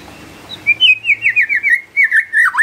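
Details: White-rumped shama (murai batu) singing hard in response to a lure recording played to prompt it: after a quiet start, a run of clear, slurred whistled notes, each sliding down, flowing evenly and ending in a lower, rougher twist.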